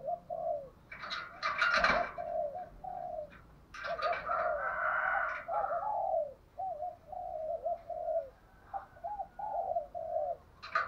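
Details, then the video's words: Spotted dove decoy delivering a fighting coo to stir caged doves into replying; a run of low repeated coo phrases continues throughout, overlapped by brighter chattering and chirping from other birds. "chim cu mồi thúc đấu vang cả xóm"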